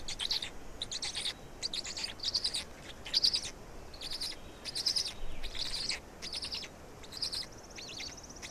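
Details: During a black stork feeding in Estonia on 16 May 2019 at 16:58, scratchy, wheezy squeals repeat in short clusters for several seconds with only brief gaps.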